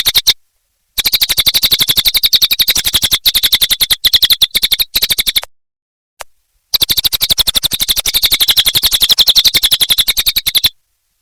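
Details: Long stretch of vigorous cililin song (gacor): repeated bursts of fast, shrill chattering notes at an even rapid rhythm, separated by short silent gaps.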